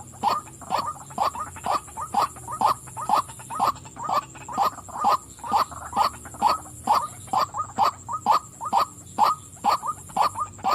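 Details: A female white-breasted waterhen calls on and on, loud croaking notes repeated about twice a second in a regular, pulsing series lasting over ten seconds.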